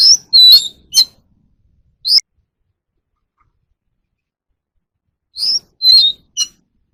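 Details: Oriental magpie-robin singing for captive-bird voice training: a quick burst of three whistled and chipped notes, one lone rising slur, a long silence, then three more bright notes.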